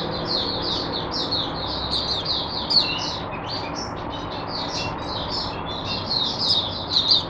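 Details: Captive oriental white-eye (mata puteh), kept as a tutor for other white-eyes, sings on 22 January 2022. Rapid high chittering warbles run unbroken for seconds, with a few louder sharp accents and faint low room noise.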